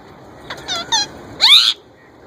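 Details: Young male plum-headed parakeet imitating a ringneck parrot's voice: a few soft, wavering squeaky notes followed by one loud, harsh, descending squawk.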